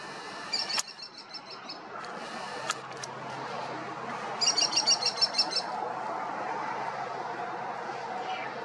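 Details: Female American kestrel in California scolds a red-tailed hawk with war-cry alarm calls: two fast bursts of shrill klee-klee-klee notes, about ten per burst, over wind-like noise with a few clicks.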